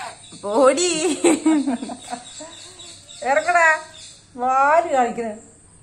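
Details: Pet black-capped lorikeet chattering with its owner: a long run of tumbling harmonic syllables followed by two separate arched, nasal phrases, each about half a second, with a faint constant hiss in the background.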